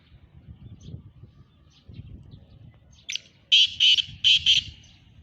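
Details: Black francolin calling in the morning at Sahiwal, 18 September 2022: after about three seconds of low rumbling background noise, a loud burst of four harsh, grating notes in two close pairs rings out over roughly one second.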